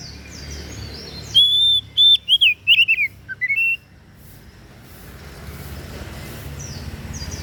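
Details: Oriental magpie-robin (kacer daput) song of loud, pure whistles and fast wavering slurs lasting about two seconds, ending on a rising note, followed by steady hissing background noise and faint distant chirps.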